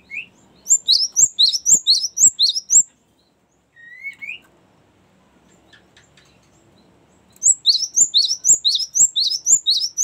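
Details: Cinereous tit in long rolling 'ngerol' song, played to lure and train birds: bursts of quick high two-part notes about twice a second, a lone rising whistle in a pause, then another rapid burst.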